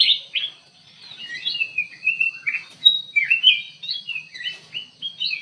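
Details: A bulbul known locally as kutilang emas, singing busily in an aviary: a steady chain of sweet, slurred whistles and quick warbled notes, varied in pitch, lasting several seconds against a soft hum.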